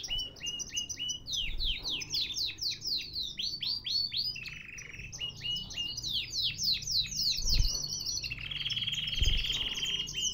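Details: Canary from a Baghdad breeder singing loudly: quick repeated downward-sweeping whistled notes in rapid rhythmic series, broken by rolling trills, continuous throughout with a few low thumps.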